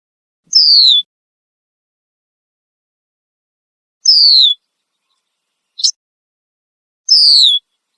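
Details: Red-winged blackbird perched in a tree in Southern Ontario, Canada, making loud alarm calls: clear high whistled notes sliding downward, spaced several seconds apart, with one brief sharp note between, in an otherwise silent setting.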